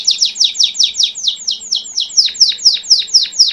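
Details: Belgian canary master singer in 'campainha' song, delivering a steady series of sharp downslurred notes, roughly four per second, bright and ringing.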